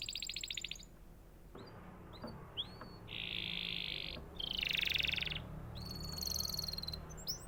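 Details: Canary song with pauses: a fast buzzy trill, a few short slurred whistles, then a long harsh rattle and a bright trilled phrase, over a low background hum.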